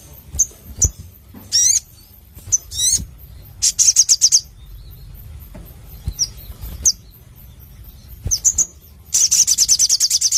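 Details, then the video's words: Crimson sunbird (sogon) singing actively: sharp high chips and short rising sweeps, a quick burst of buzzy notes near four seconds, and a closing run of rapid, high, evenly spaced trilled pulses. "Masteran Sogon Gacor Suara Plong ( Burung Sogon Gacor )"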